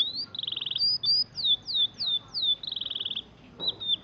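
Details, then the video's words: Oriental magpie-robin, a hobby bird, giving a lively song: a fast buzzy trill, then a run of four descending whistled slurs, another buzzy trill and a final drooping whistle. "Kicauan burung kacer"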